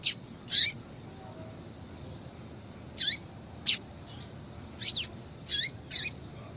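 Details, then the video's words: Female double-collared seedeater calls meant to excite a male: short, piercing high chirps, some sweeping down or up, given singly or in close pairs at irregular intervals over a quiet hissy background. "Piado de Fêmea de Coleiro para Esquentar Coleiro"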